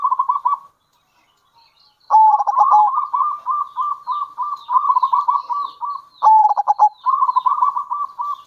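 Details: Local zebra dove, described as a lively bird with kerot and bekur cooing styles and used to lure other zebra doves; rapid stuttering coos around one pitch come in long bursts after a brief pause, with faint high chirps above.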